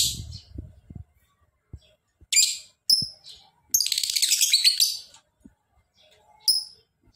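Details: Lovebird giving a long ngekek trill: sharp high chirps, then a rapid buzzy chattering trill lasting over a second, followed by a few more bright chirps, with soft low knocks at the start.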